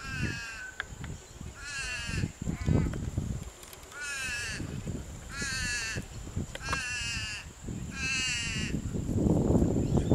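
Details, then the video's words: Purple swamphens, a pair tending a nest as one parent arrives to relieve the other: loud, harsh, nasal squawks in short bursts about every second, with rustling and low thumping at the nest. "Purple Swamphens swapping nest duties"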